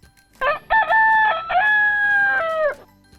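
A rooster's full crow lasting over two seconds: two short, choppy opening notes, then a long, strained note that drops away at the end. Nothing else is heard.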